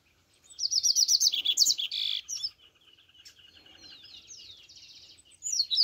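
A Double-collared Seedeater sings a fast, bright trill of high repeated notes, then a few sharp chirps and thin buzzy sweeps; low background hum.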